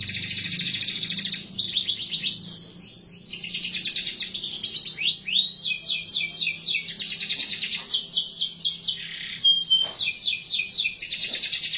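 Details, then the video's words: Extended canary song: alternating fast rattling trills and runs of sharp descending whistles, with shifts in tempo and pitch across several phrases, over a faint low hum. "٣٠ دقيقة تغريد مستمر ورائع مهما كان نوع الكناري خاصتك سيبدء بالتغريد"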